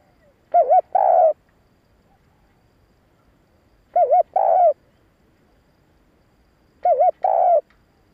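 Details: Spotted dove cooing meant to lure and excite males: a wavering two-part coo, a short warbled note then a longer steady coo, repeated three times about every three seconds against silence.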